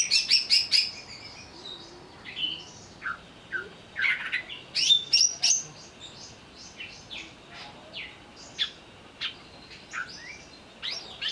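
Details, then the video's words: Greater green leafbird lure to provoke agitated singing: quick opening pulses, then a long varied medley of sharp chips, whistled slurs and short trills at irregular intervals. "pancingan burung cucak ijo agar bunyi sambil emosi"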